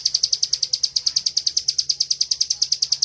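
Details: A caged bar-winged prinia's ngebren song for tutoring birds. Piercing high chips repeat in a tight, even rhythm, around seven per second, for three seconds without pause.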